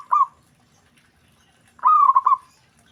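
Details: Zebra dove, which other doves answer at once, gives a single short coo followed by a quick bubbling phrase of several rapid notes.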